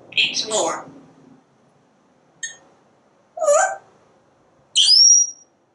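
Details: Speech-like babble from a parrot on a screened back porch, then a faint note, a throaty syllable and a bright rising whistle, while it watches birds and squirrels outside.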